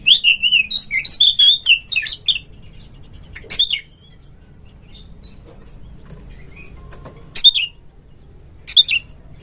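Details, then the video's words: Lure song of an Oriental magpie-robin, played so a kept bird sings and fans its tail at a rival; a quick warbling whistled phrase, then a few isolated sharp notes amid quiet. "suara pancingan burung Kacer agar CEPAT GACOR FULL buka ekor"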